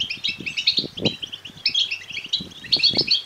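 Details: Goldfinch chicks begging: crowded, high, buzzy chirping in quick irregular runs, accompanied by several low thuds and rustles. Played to stimulate male goldfinches to sing and mate.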